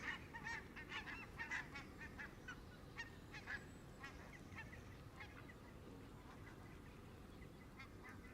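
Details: Canada geese flock feeding at the water's edge, close around the camera: rapid overlapping honks, about two per second, loudest in the first four seconds then fading, over low steady background noise.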